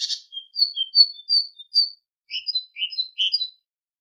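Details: Tit song used as a training recording for goldfinches: high whistled notes in quick, varied phrases, with a pair of alternating high and lower notes repeated in the second half. No other sounds.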